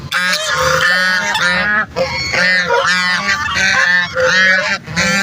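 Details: Ducks calling to other ducks: a continuous chorus of loud, nasal honking calls from several birds, overlapping in rough bursts with brief dips between them.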